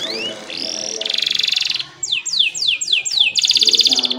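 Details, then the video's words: Singing canary used for tutoring young canaries and stirring reluctant singers: rising whistles lead into a dense buzzy trill, a series of downslurred high notes, then another strong rolling trill over faint low chatter. "KENARI GACOR ‼️ COCOK UNTUK MASTERAN KENARI PAUD DAN PANCINGAN KENARI MALAS BUNYI"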